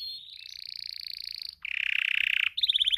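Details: Spanish timbrado canary, a male in breeding condition, singing: a sustained high buzzy roll that steadies, then a lower dense rattling tour, then fast bright chirped trills, one after another.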